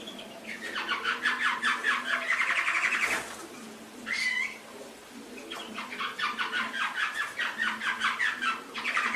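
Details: Canary song for training pet canaries, from an Indonesian masteran recording: two long bursts of fast, pulsing trills separated by a short curling whistle, with a brief sharp click midway.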